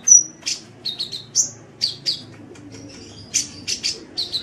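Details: Sunbird singing continuously on a training recording for kept songbirds, opening with a loud high whistle, then clipped chirps and short buzzy trills spaced irregularly about every half second.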